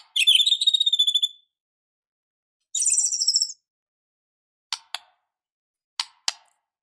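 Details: White-rumped shama in an emotional, fighting state: a rapid buzzy trill held on one high pitch, a second higher chattering burst, then scattered sharp clicks.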